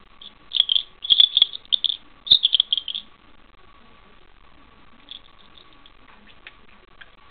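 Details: Parakeet kept indoors mimicking a small bell as it tussles with a thumb; rapid jingling trills in clustered bursts over the first three seconds, then faint scattered clicks.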